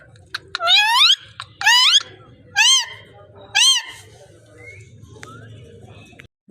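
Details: Parrot indoors uttering four loud, nasal, harmonic squawks that arch up and down, roughly one per second, followed by quieter short whistled notes.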